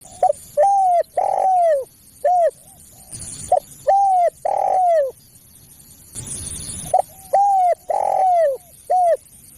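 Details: Spotted dove calls used to lure other doves: phrases of short hooted notes followed by a long, slightly falling coo near 700, repeated twice with a gap, with bursts of hiss between phrases.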